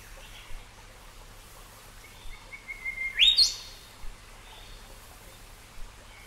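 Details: A Golden Whistler in Australia gives a few soft, thin whistles leading into a loud whistle that climbs sharply to a ringing, whip-like upstroke, over faint steady background hiss.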